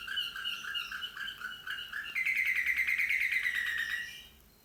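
Slavujar canary singing: a run of rhythmic double-toned notes, then a fast, rolling, high trill that slowly falls in pitch before fading.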